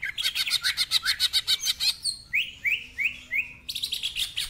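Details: A greater green leafbird sings in ngentrok style with mimicry fill-ins. A rapid harsh rattling series of about fourteen notes gives way to four rising whistled swoops, then another coarse rattle.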